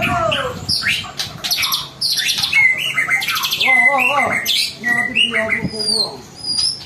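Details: Lure song of a white-rumped shama meant to prompt other birds to sing: rich, varied phrases of clear whistles, buzzy rattles and sharp notes, delivered in bursts with short pauses.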